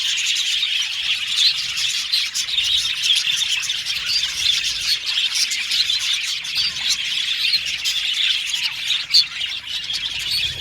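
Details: Continuous budgerigar chirping, a constant thick chatter of high twittering notes and squeaks from many birds, with one sharp louder note near the end.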